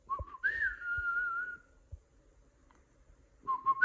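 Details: Cockatiel giving a clear whistled note that jumps up and then holds a long, slightly falling tone, followed by a short rising whistle at the end, with soft thumps in the background.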